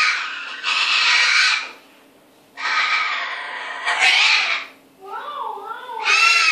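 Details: Cockatoo indoors mimicking another sound, giving loud harsh screeching bursts over a second long, then a shorter wavering warble with rising and falling tones, a faint steady hum in the room.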